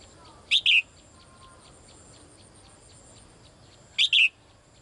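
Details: Female bird calling for the male, giving two bright double chirps about three and a half seconds apart, each a short high note followed by a slightly longer one, with faint steady background noise.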